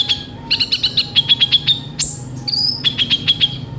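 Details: Sunbird known as kolibri ninja singing: quick series of sharp doubled ticks, then a high thin falling whistle and a long level whistle, followed by more rhythmic ticks.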